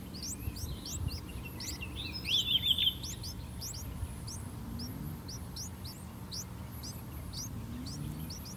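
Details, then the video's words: Streak-eared bulbul chicks, three days old, in a nest in a water jasmine tree before a house, fed by both parents: dense, rapid high chirps throughout, with a louder burst of four lower notes near the middle, over quiet hum. "Streak-Eared Bulbul Feeding Their Chicks In The Nest"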